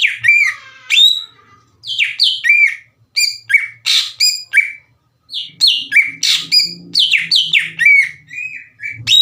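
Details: Greater green leafbird lure song for stirring up other cucak ijo: loud, varied downslurred whistles mixed with squawky notes, in rapid groups separated by a few brief pauses, with a faint low hum in places.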